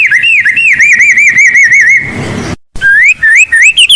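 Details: Blorok white-rumped shama in full song, filled with mimicked phrases and used to lure and train other birds: a rapid run of wavy, warbling whistles, a short break, then separate rising whistled notes climbing higher.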